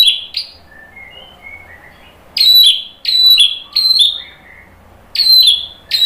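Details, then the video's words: White-rumped shama song aimed at goading other birds to sing: bright high downslurred whistles in pairs, with soft quiet warbles between bursts. "KICAUAN MURAI BATU bikin NYAUT jadi GACOR NGEPLONG BONGKAR MATERI ISIAN ¦ PANCINGAN MURAI"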